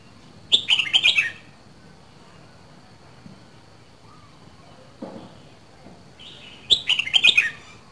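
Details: Red-whiskered bulbul from Dak Lak, kept caged, singing its quick falling warbled phrase twice, about six seconds apart, with a soft thump and faint calls between the phrases and a steady high whine throughout.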